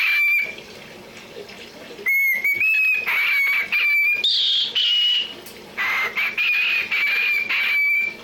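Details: A cockatiel chatters in a run of bright, whistled, speech-like phrases, repeating a spoken name.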